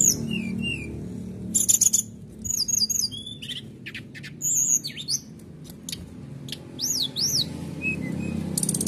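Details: Canary singing aggressively, used to provoke other birds into singing. Varied high song has sharp trills, rapid clicks, buzzy bursts and looping whistled notes, over a low background rumble.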